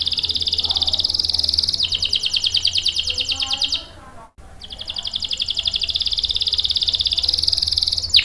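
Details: Canary in full, lively song, used as a lure and tutor for young and stalled canaries. Long, rapid high trills run almost throughout, broken by one brief pause near the middle before rolling on again.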